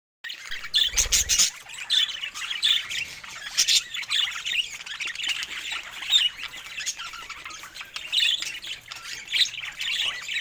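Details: Pet budgerigars chirping happily among other parrots, dense high twittering warble with squeaky notes running continuously, a brief low thump near the start.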